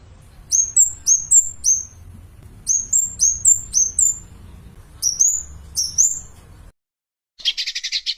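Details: Javan cochoa singing, used to teach other songbirds: clusters of piercing high whistles with quick rising-falling inflections, then a brief pause and a short buzzy burst.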